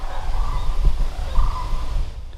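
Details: On an October fall morning at Rustic Road 15, Burnett County, Wisconsin, distant sandhill cranes gathering before flying out give rolling, trumpeting rattles in two bursts, partly buried under heavy wind rumble.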